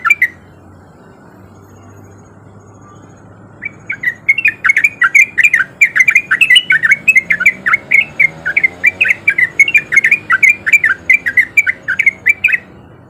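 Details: Male sooty-headed bulbul in the rapid 'ropel' style used as a lure for other bulbuls: one brief note, a few seconds of near silence, then a long quick run of chirping, bubbly notes lasting about nine seconds.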